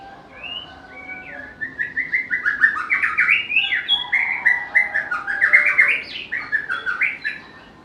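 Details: Varied song of a white-rumped shama, a bird prized for its melodious voice and its ability to copy other species: a clear opening whistle, then a rapid stream of pulsed, chattering and warbled notes building in loudness.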